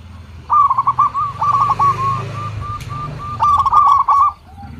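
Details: Zebra dove of the local type giving a lure song: a quick string of clipped, rolling coos over a low background hum, pausing briefly before a second burst.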